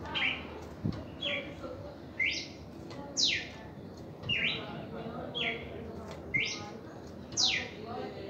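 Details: Red-crested cardinal giving its first reaction song, a steady series of bright whistled notes sweeping up or down, roughly one phrase per second, clear above faint background hum.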